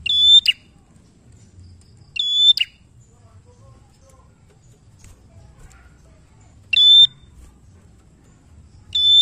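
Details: Bar-winged prinia song meant to coax other birds into singing, four strong phrases, each a flat piercing whistle closed by a snapping note, with a long pause midway.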